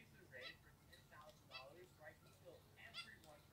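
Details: Two pet zebra finches, apparently both white, give short, nasal, toy-trumpet beeps, about two or three a second, over a low steady hum.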